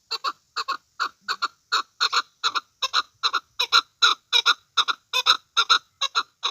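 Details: Chukar partridge giving its rhythmic chuk-chuk call, loud harsh paired notes repeated steadily about two to three times a second, building in a continuous chattering series with no other sounds.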